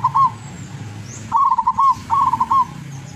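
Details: Zebra dove (perkutut) from the wild around Tuban, East Java; the end of one phrase, then two clear back-to-back phrases of quick staccato coos closing in a trilled roll, over a low hum.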